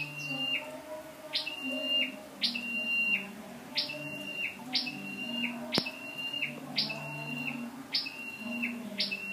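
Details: Lure-bird scarlet-backed flowerpecker, 12/10/14, giving around nine calls: a bright upward flick then a level high thin whistle, spaced about a second apart over soft low humming, with one sharp click midway.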